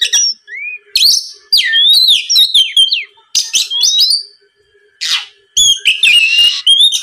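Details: Oriental magpie-robin song used to provoke a rival: sweet rising whistles, quick twittering slurs and several harsh hissing bursts, in energetic phrases split by brief pauses.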